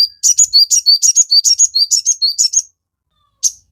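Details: Sogon song used as a training recording to get captive birds singing: a fast run of high sharp chirps and whistled notes alternating rapidly for about two and a half seconds, then a lone chirp after a pause.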